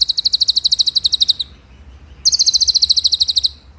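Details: Rolling 'ngeroll' master song of a white-rumped shama for training other birds: two long, very high, evenly pulsed trills of about twenty rapid notes each, split by a brief pause.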